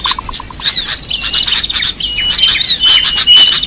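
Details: Small birds used to lure: six short, evenly spaced low notes open the sequence, followed by sharp high chirps, slurred squeaks and several thin sustained whistles.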